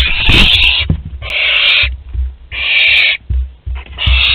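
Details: Young barn owl at the parents' food store, Théding, France, on 10 July 2021, giving four loud, raspy hisses in quick succession, about one each second, with scratching and knocks between them.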